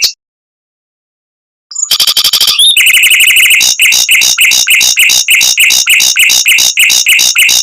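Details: Mockingbird song in a speedy, close-packed rolling style with long volleys, used to train white-rumped shamas: a buzzy phrase, then rhythmic repeated chattering notes at about three per second.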